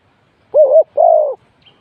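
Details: Spotted dove kept as a decoy for trapping gives two low, smooth coo notes, the second longer and slightly wavering, with a faint high chirp just after.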